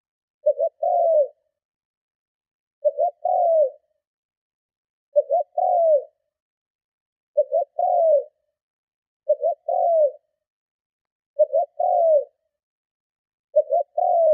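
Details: Spotted dove giving strong cooing used to lure and provoke other doves: low three-part coos, two short notes then a longer falling one, repeated about every two seconds over a silent background.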